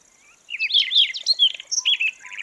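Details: Siberian rubythroat singing, a recording meant to attract birds into traps; after a short pause comes a fast medley of twisting whistles and scratchy trills, backed by a constant faint high-pitched whine.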